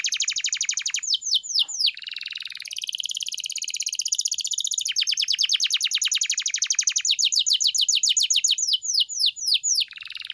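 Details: Canary master song for training a pet bird: rapid high chirps running into a rich rolling trill, then long fast series of sharp descending notes, continuous and energetic.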